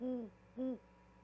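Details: Owl arriving at a Charlo, Montana nest with a vole for its mate on 13 February 2022, calling until she answers, caught by a live camera. Two low, mellow hoots, the first longer, the second slightly shorter, with a quiet gap between.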